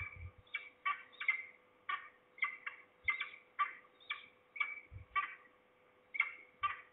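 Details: Falcons, at least two, possibly a juvenile or a parent, recorded at Trzebież, Poland, in early September 2019. Hoarse, repeated notes come in short groups, and several dull low knocks are heard in the background.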